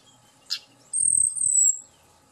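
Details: Tledekan gunung song used as a lure to make the bird excited and sing quickly: a sharp chirp, then a long thin high whistle held for nearly a second.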